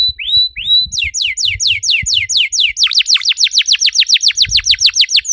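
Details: Canary singing as a lure for other canaries: two rising drawn-out whistles, then a long rhythmic series of rapid downslurred notes, about four per second, growing stronger.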